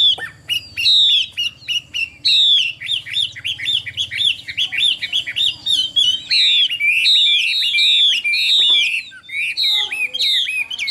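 A Chinese hwamei sings a loud, rich run of varied whistled and slurred phrases, rapid and repeated with changing notes; a faint low hum lies underneath.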